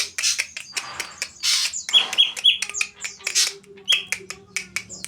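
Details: Greater green leafbird giving saeran abu (ashy drongo) style song: fast, busy chatter of sharp ticks, raspy bursts and brief bright whistles, with a faint low steady hum underneath.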